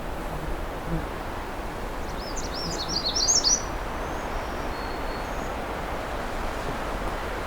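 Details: A magnolia warbler sings close by among tall jack pines in a nature reserve in the afternoon, one quick, high run of sweet slurred notes lasting about a second, then a few faint thin whistles, over a steady rushing background.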